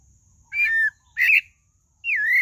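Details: Pale-breasted thrush song: three clear whistled phrases, each sliding down from about mid-high pitch, separated by short pauses, with a faint steady high hiss throughout.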